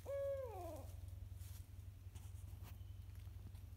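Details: Barred owl in woodland behind a house in spring, replying to imitated hoots: one clear, level hoot that bends sharply downward into a fading wail, with a constant low hum beneath and quiet forest background.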